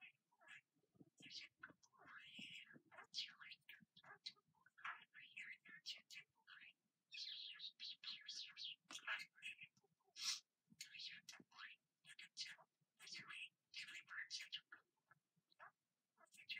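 A budgerigar chatters nonstop in a rapid, scratchy jumble of warbles, clicks and squeaky chirps.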